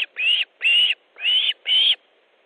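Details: Four loud, slightly rising whistled cries from an Osprey at its Estonian nest during a fish delivery on 3 August 2014, spaced roughly half a second apart.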